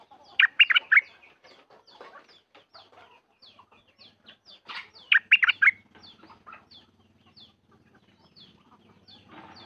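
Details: Sooty-headed bulbul kept at home, recorded 28 December 2019, singing two loud, quick phrases of three or four liquid warbled notes about five seconds apart, with soft chirps and faint clucking between them.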